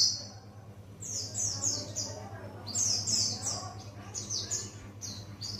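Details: Buxtoni white-eye learning wild song; rapid, high, squeaky twitters run together in broken strings, with brief pauses between the bursts and a constant low hum underneath.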